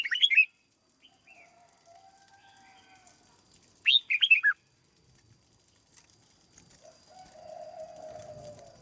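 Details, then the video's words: Caged red-whiskered bulbul in training sings two loud, rapid phrases of bright whistles, one at the start and one after a pause. Soft lower drawn-out notes and a longer mid-pitched tone are heard between and after. "Cách chăm chào mào căng lửa nhanh hiệu quả nhất, cách dợt chào mào mồi"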